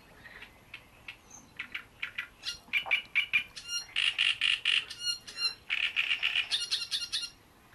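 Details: Great reed warbler singing at Bohdanečský rybník, a fishpond: loud, grating, croaking song of repeated harsh notes, starting with scattered clicks and building into rapid chattering phrases of doubled and tripled units, some squeaky high notes.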